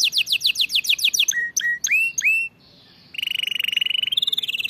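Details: Canary singing, played for training canaries to sing properly: a fast series of descending slurred notes, several rising whistled upslurs, a short pause, then a long, very rapid, even trill that shifts slightly higher near the end.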